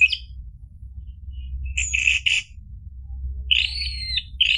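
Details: Orange-headed thrush used as a lure for a caged bird that has stopped singing: sparse song with a few short buzzy notes, long silent gaps, and a final slurred whistle, over a steady low hum.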